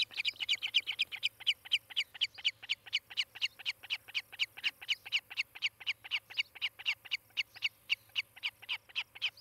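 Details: Osprey calling at its Charlo, Montana nest, caught by a nest camera on 18 July 2018; rapid string of clipped, shrill whistles, roughly four per second, steady and insistent for the whole stretch, with a soft background hum.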